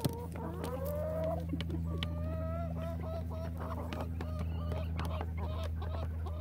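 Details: Relaxed flock of chickens: a long, drawn-out rising call opens, then a run of short harmonic clucks from several birds over a steady low hum.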